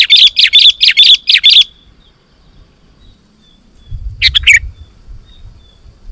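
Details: Sooty-headed bulbul singing hard to lure wild bulbuls: a quick series of about seven bright chirps, a quiet gap, then a short bubbling phrase over soft low rumbling.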